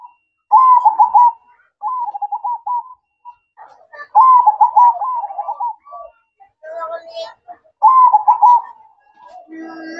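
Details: Zebra dove manggung at night: repeated phrases of vibrating, bubbling coos, about four phrases in ten seconds with short silences between, and a faint low note at the close.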